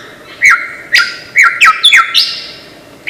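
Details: Lyrebird from Australia's forests, a master mimic: loud chirps, each leading into a sustained level whistle, repeated several times in a lively, uneven rhythm.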